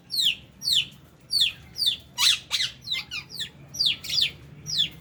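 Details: Lovebirds eating food, possibly with budgies present, giving shrill, high chirps and squawks about twice a second, with some calls overlapping as several birds chatter together.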